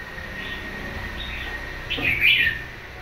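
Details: Caged red-whiskered bulbul, wild-caught and bought a month earlier, gives one short, bright warbled phrase after a quiet start, heard over steady low room hum.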